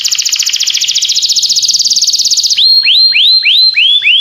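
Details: Singing canary: a rapid, buzzy trill of even notes for over two seconds, then a series of rising, swooping whistles repeated about every half second.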